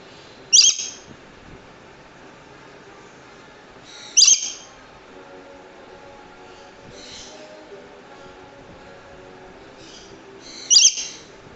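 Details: A Swainson's lory (rainbow lorikeet) gives three loud, harsh, high screeches a few seconds apart, with a couple of fainter squawks between them over a quiet background hum.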